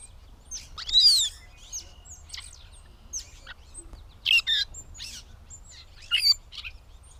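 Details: Gray catbird recorded 16 May 2020 at Bowdoinham, Maine, giving a jumbled run of squeaky, scratchy and whistled phrases in uneven bursts, loudest near the start, with brief pauses between clusters and a faint low hum behind.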